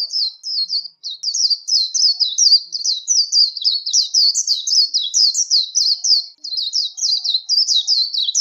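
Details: A warbling white-eye pours out continuous líu competition song, a dense, unbroken stream of rapid high twittering notes that rise and fall without pause for over eight seconds.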